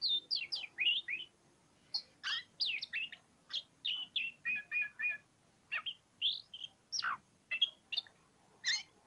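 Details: Oriental magpie-robin in full ngobra-style song, pouring out high whistled phrases, quick downslurred notes and repeated chip-like syllables in steady bursts separated by short gaps.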